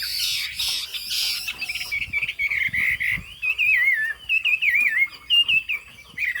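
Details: Chinese hwamei, fig-leaf tail and yellow bill, in high-style singing: a harsh, noisy burst opens, then clear wavering whistles that twist up and down in quick, uneven phrases.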